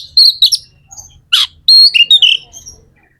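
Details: Short phrase of magpie-robin song, used to excite other magpie-robins: high whistled notes, a sharp downward-sweeping burst, then a string of bright, slurred whistles.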